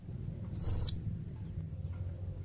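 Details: Single drawn-out, very high, slightly trilled squeal from a blue-crowned hanging parrot, lasting under half a second. The call is used to get other hanging parrots to reply, and a low hum runs beneath.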